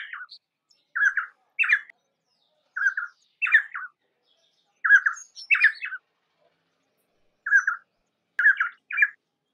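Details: Painted spurfowl (Galloperdix lunulata) repeats grating, squawky paired notes in a steady series, about five pairs with a brief pause midway before resuming; no other birds or noise audible.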